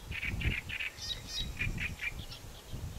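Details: Great reed warbler in Doñana National Park, Spain, in April 2011, gives harsh, grating, croaky notes in quick repeated pairs and triplets, with a few higher squeaky notes, over a steady low rumble.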